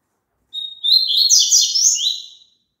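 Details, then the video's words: Song of a double-collared seedeater, meant for caged birds to join in: it opens with a clear whistled note and breaks into a rapid, scratchy, high warbling phrase of about two seconds. "COLOCA ESSE CANTO PARA SEU PAPACAPIM CANTAR JUNTO"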